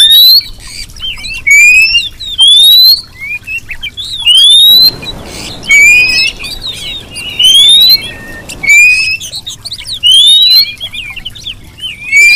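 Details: Female Oriental magpie-robin whistling to lure and excite a male: rising whistled slurs repeated about every second, sometimes two in quick succession, with brief scratchy notes between them and a soft hiss in the middle.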